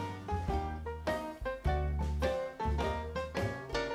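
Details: Swinging jazz ensemble with brass, strings and a bouncing bass line in short punchy phrases, no animal voice.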